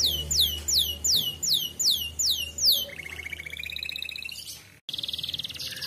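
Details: Griwik-style canary song used to rouse canaries into singing: a row of loud, evenly spaced downswept whistles about every half-second, a wavering buzzy trill, a sudden brief cut, then a fast high trill.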